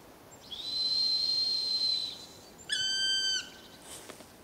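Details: A person's long, steady, high whistle imitating the call is answered by a Black woodpecker's single ringing, plaintive call, slightly falling at the end and lasting under a second.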